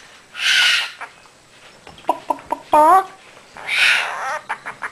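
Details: Pet Quaker parrot practicing chatty talk: two harsh, hissing squawk bursts frame a run of short clipped notes and a longer wavering, tonal phrase, followed by a few quick chirps.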